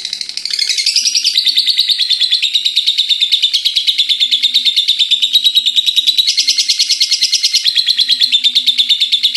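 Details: Ngekek of a pet lovebird, a chatter said to run without stopping until morning: dense, high, rattling trill of fast even pulses, with brief brighter squeaky accents in the middle.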